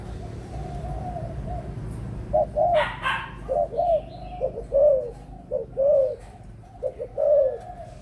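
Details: Adult spotted dove. After about two seconds of quiet background comes a sequence of short, low, hollow coos in quick pairs, with one brief noisy rustle near the start.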